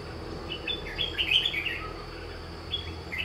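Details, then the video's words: Red-whiskered bulbul at a trapping site, bird used as a lure: bright chirpy whistled phrases in short bursts, rising and falling, with quieter notes between, over a steady high hum and low background rumble. "Bẫy chào mào Đã cánh lại còn ché"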